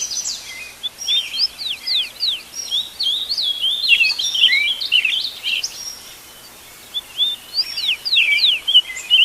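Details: Several wild birds singing at dawn, recorded live in nature: many rapid high chirps and sweeping whistled notes overlap densely, with a short lull near six seconds before the chorus resumes.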